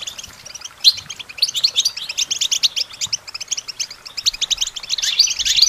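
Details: Goldfinch song used as training support for songbirds, rapid high twittering chips that build into a lively, continuous run of bright, slightly buzzy notes, with a sharp louder phrase near the end.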